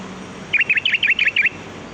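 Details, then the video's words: Free-living sooty-headed bulbul, a sound used for luring birds: a quick string of seven bubbly, down-slurred whistled notes packed into one second, with a faint low hum at the start. "Suara pikat burung kutilang || Kutilang Gacor"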